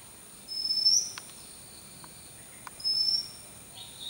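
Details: An Oriental magpie-robin preparing to nest in an arecanut tree hole on a farm in Kottapara, Kanhangad, Kerala, India, on 7 April 2019, gives two thin, high, slightly rising whistles about two seconds apart, over a steady high insect drone.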